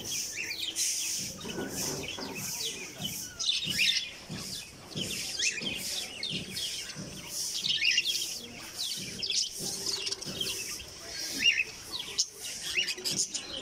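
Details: Pet cockatiel in a cage gives quick, high chirps and short whistled notes in a busy, steady stream.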